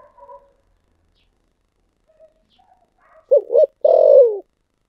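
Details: Spotted dove, thổ sấm song style. After a few faint scattered notes comes one loud phrase: two short coos and a drawn-out falling coo near the end.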